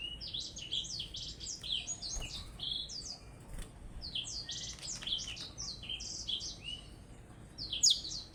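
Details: Blackthroat in a contest with a Java sparrow, singing a fairly quiet, steady jumble of quick high slurred notes and chips throughout, closing with a sharp bright note.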